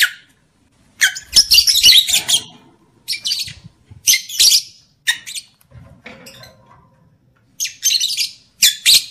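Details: Lovebird sound used as a breeding trigger for males and females; loud grating squawks and harsh chatter in irregular bursts about every second or two, separated by short silences, some faint low knocking.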